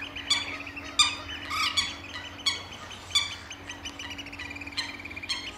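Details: Oystercatchers at Amwell Nature Reserve, April 2014: loud, ringing single 'kleep' calls every second or so, with fainter rapid piping between them and a low steady hum behind.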